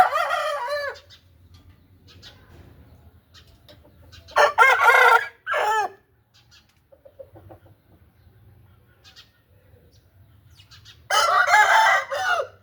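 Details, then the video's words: Aseel roosters crow three times, each a loud, harsh crow about a second long with strong harmonics, separated by quieter gaps with faint background clucks. "Showing Aseel Birds with Orignal Sound"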